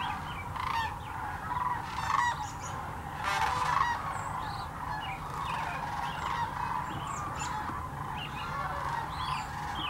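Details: Sandhill cranes from a flock of thousands migrating to Hiwassee Wildlife Refuge, Birchwood, Tennessee, filmed at 17 degrees with a GoPro Hero 9 and Canon Powershot; dense overlapping rolling, trumpeting calls from many birds, with a steady low rumble beneath.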